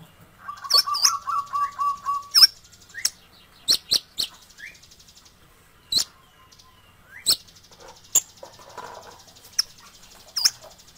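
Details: Sunbird song used as a tutor recording for songbirds: an opening quick chattering trill, then scattered high, sharp, piercing chips and doubled notes spaced irregularly across the phrase, in otherwise quiet surroundings.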